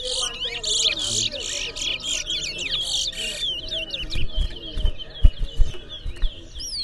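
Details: Towa towa seed finch singing in a bird singing competition in Berbice: a dense run of rapid high chirps and twittering trills for about three seconds, then softer scattered notes with thumps and clicks in the background.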